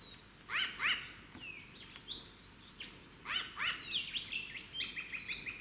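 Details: Wild, free-flying New Caledonian crow calling while making a tool from a twig, giving double "wak wak" contact calls: a quick pair of harsh stacked notes, then further scattered calls and chirpy notes in a steady hum of outdoor noise.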